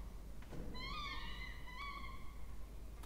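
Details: Peregrine falcon chicks, two in a nest box on a water tower in Orange, New South Wales, Australia, being fed, 20 October 2024; two long, level, nasal whining notes, the second slightly lower, over quiet background hiss.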